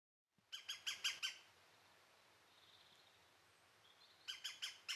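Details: European green woodpecker in Britain giving two bursts of ringing, laughing notes, about six quick notes in each. A quiet gap with faint background hiss separates the bursts.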